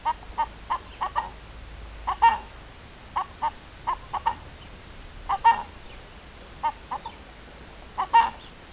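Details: Hen clucking, recorded April 2015: repeated short clucks at a steady pace, some louder accented notes standing out, over a low background hiss.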